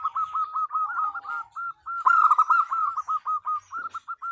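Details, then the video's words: Female zebra dove calling the male: a long run of rapid, short cooing notes with a rolling, stuttering rhythm and a louder, richer burst partway through. "Suara Perkutut Betina Memanggil Jantan"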